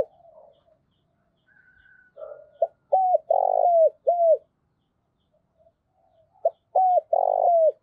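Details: Decoy spotted dove (cu gáy) giving its standard calling coo to stir up wild-caught rival doves. Two phrases of loud, mid-pitched coos each include a long, rough central note. A faint thin whistle is heard between them.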